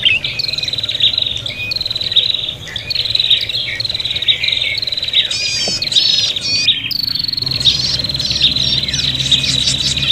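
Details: Prinia lure recording of birds calling in agitation as if fighting: a rapid, unbroken stream of high buzzy chatter with repeated short trills and a burst of rising squeaky notes near the middle, low hum underneath.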